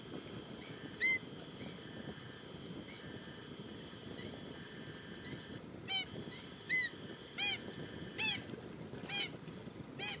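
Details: Female black-winged stilt giving scattered sharp, nasal yelping notes, single at first, then coming in quicker bursts in the second half, over a steady high droning tone and low rumbling background.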